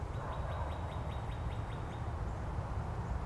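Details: Northern Cardinal in Angrignon Park, neighbouring birds countersinging variants of one song theme; a quick series of about ten short slurred units repeated roughly five per second at even pitch, then stopping, against low-frequency noise.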